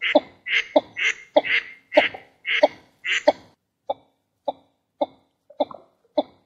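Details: A female and male northern shoveler call: about seven harsh, raspy quacks in a quick series, then a run of short, clipped, nasal 'took' notes spaced about half a second apart.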